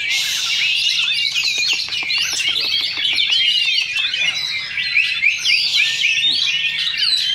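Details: Oriental magpie-robins competing in a Sunday practice singing contest at Sindanglaut, session two, caged: a fast, continuous stream of twittering, slurred whistles and rapid chips, crowded and overlapping, with a low hum of voices.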